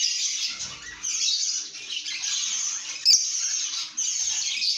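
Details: Lovebirds singing and chirping in a happy, good mood: dense, continuous high-pitched twittering and squeaky chirps overlapping without pause, apparently from several birds, with a sharp brief click partway through.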